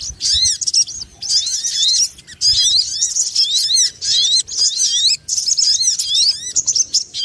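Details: Sogon lure call used for trapping birds: loud, dense, noisy chatter of high, looping whistled notes in bursts of about a second, broken by brief gaps.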